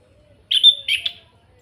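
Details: Loud kretekan notes of an orange-headed thrush from Salatiga, used as a lure to make other birds sing: two harsh, raspy, strongly voiced bursts in quick succession, the first longer with a bright whistled core.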